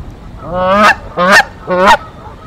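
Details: Nest-defending Canada goose at Decorah, 1 April 2024, confronting an intruder: three loud, drawn-out nasal honks, each swelling and breaking upward, about half a second apart.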